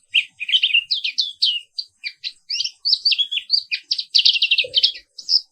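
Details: Morning singing from a black-capped white-eye, Papua wiklus pleci: an unbroken string of quick, high twittering notes, some sliding downward, ending in a fast buzzy trill.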